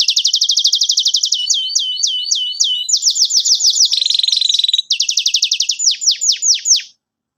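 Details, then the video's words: Energetic 'gacor' canary song meant to teach young canaries: rapid repeated tours of whistled notes that change type every second or so, mixing buzzy trills, hooked chirps and falling sweeps, then stopping. "KENARI GACOR cuit cuit NEMBAK PANJANG, pancingann kenari paud belajar bunyi"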